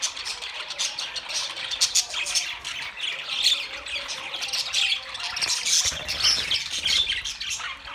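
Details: Budgerigars chattering together, a continuous dense mix of squawks, warbles and high chirps with no pauses, many birds calling at once.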